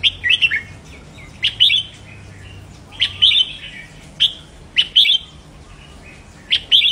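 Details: Caged-bird stimulation song of the red-whiskered bulbul: lively whistled phrases of two to four rapid notes, separated by single sharp chirps, recurring every second or so.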